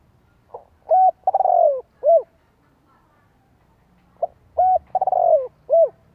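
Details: Lure cooing of a spotted dove, thổ đồng voice, for stimulating newly caught doves and training decoys. Two matching phrases of soft low coos, each with a rolling, downward-sliding middle note. There is a pause of about three seconds between them.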